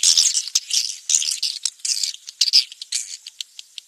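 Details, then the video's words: Swiftlet lure sound meant to attract swiftlets: dense, high, rattling chirps in quick irregular bursts, with short gaps between clusters of dry clicking twitters. "SUARA TARIK WALET"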